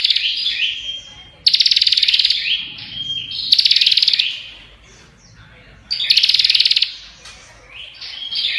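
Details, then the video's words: Prenjak, a prinia, chattering without pause: bursts of rapid, buzzy, high-pitched ticks alternate with thin whistled notes and brief warbling twitters, repeating every couple of seconds. "Burung Prenjak Ngocehh Parah Suara Rapat Gk Berhenti!!"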